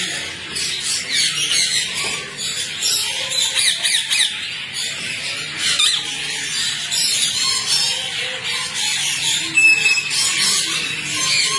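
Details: Rose-ringed parakeets in a colony keep up a loud, unbroken chorus of shrill, grating squawks, many birds overlapping in rapid, irregular bursts for the whole stretch.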